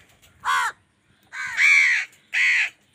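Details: Three hoarse crow caws, the middle one drawn out and doubled, from an angry crow struggling with wild birds for food.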